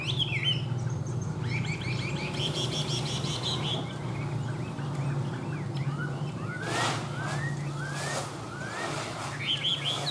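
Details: Tame caged Chinese hwamei giving scattered whistled phrases: a few rich warbled bursts, then short rising slurred notes repeated several times, over a continuous low background drone.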